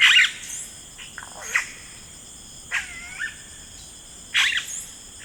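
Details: Rainforest yellow-rumped cacique: a loud squawk at the start, then scattered twanging, sliding notes and a final harsh burst, over a continuous high insect whine.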